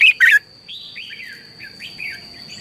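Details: Red-whiskered bulbul singing in the morning as a lure voice for training: a loud, two-part warbled phrase opens, followed by a string of softer, slurred, falling whistles, with a faint steady high tone behind.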